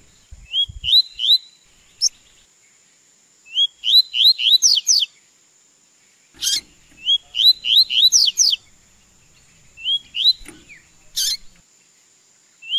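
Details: Double-collared seedeater in song training repeats phrases of three to six rising whistled notes every few seconds, interrupted by loud broadband clicks.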